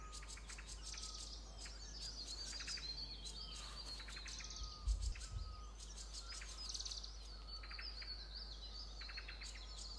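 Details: Green-backed tits near a tree nest-hole while a yellow-throated marten eats their chicks, the parents flying frantically back and forth; short buzzy bursts repeated in clusters with thin high chirps and whistles from several birds over a steady low hum.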